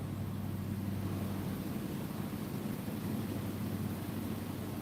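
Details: Steady low engine hum with a constant drone and broadband noise throughout, and no animal calls.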